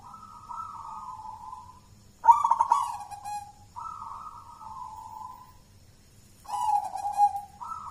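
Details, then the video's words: Champion zebra dove of local Mojopahit stock from Java, wild-born and raised in captivity. Held, slightly falling coos alternate with two bright bursts of rolling, clicking notes. "suara perkutut lokal mojopahit sang juara lomba gacoran"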